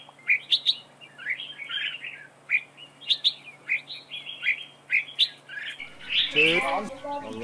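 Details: Caged decoy red-whiskered bulbul singing in a trap duel. Loud, clear chirped phrases repeat roughly every half second, then a denser, harsher warbling burst at the end.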